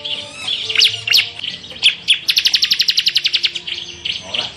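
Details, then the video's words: Bar-winged prinia performing the ciblek 'semi full tembakan' song: scattered high chips and short whistles, then a fast, even rattle of around fifteen piercing notes, trailing into softer twitters. "Masteran burung ciblek semi full tembakan"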